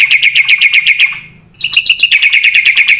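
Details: Energetic black-winged starling with full filler song for training other birds: fast, evenly repeated ringing chips that break off briefly, then resume as varied whistled notes and a quick chip series.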